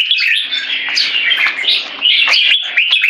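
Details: A red-whiskered bulbul holding a C-shaped aggression stance sings a continuous run of bright, warbling whistles with rapid note changes and no break.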